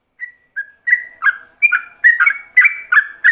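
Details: Ropelan-style song of a yellow-vented bulbul for training others to imitate: opens with two thin single whistles, then builds into a quickening chain of louder double-noted, bubbly whistles.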